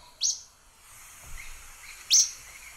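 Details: Acadian Flycatcher, known in Spanish as atrapamoscas verdoso: two abrupt, high, sharply slurred notes about two seconds apart, with faint softer chips between them over a quiet hiss.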